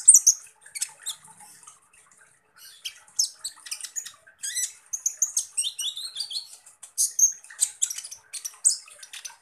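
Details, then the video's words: Thin, very high chittering from Van Hasselt's sunbird, called kolibri ninja in East Java, in its 'tembakan kasar' style: scattered sharp ticks, then denser runs of slurred squeaky notes and scratchy bursts. "SUARA BURUNG Kolibri Ninja Full Tembakan Kasar"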